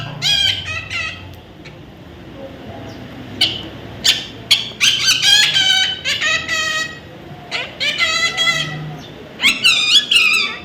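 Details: Baby parrot giving harsh, raspy squawks in irregular bursts that grow louder and more frequent after the first few seconds, with a quiet low hum underneath.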